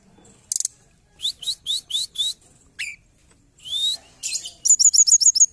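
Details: Forktail recording meant to lure birds into traps: a sharp burst, a row of five upslurred whistles, a brief rasp, then a rapid series of very high repeated chips.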